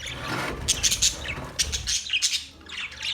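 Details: Colony budgies give a run of quick, bright, high chirps in clusters, over a rough, buzzy background chatter that fades near the end.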